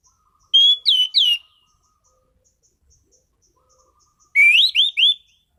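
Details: Caged orange-headed thrush singing strongly: two short phrases of clear, looping whistled notes, the second a series of rising slurs, with silence between.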